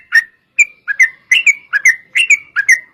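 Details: Energetic 'gacor' song of a yellow-vented bulbul, a long 'ropel' fighting-style phrase meant to draw other bulbuls into singing: short gurgling whistles, some slurred upward, given in pairs about every half second over silence.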